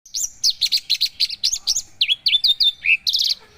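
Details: Javan bush lark, a kept bird of the 'paksi aji' line, singing fast high chirps and down-slurred whistled notes, then a buzzy trill at the end, all crisp and loud.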